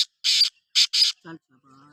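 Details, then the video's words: Kala teetar, the black francolin, giving harsh, scratchy rasping notes in quick succession. Lower, thinner tonal sounds trail off afterwards. "Kala Teetar ki awaz | Black Frankoline Voice | Kala Teetar voice | کالا تیتر کی آواز"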